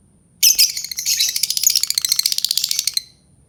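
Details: Albino lovebird giving a continuous shrill, buzzy chatter of rapid, high-pitched notes that pulse steadily for about two and a half seconds, then stop abruptly.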